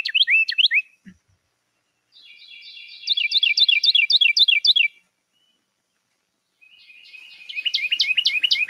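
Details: A Carolina wren at daybreak in a Kansas backyard or urban setting sings loud, rolling strings of rapid, repeated two-note phrases, bright and high, in three bursts with short pauses between. These are typically male songs used to communicate with neighbouring singers.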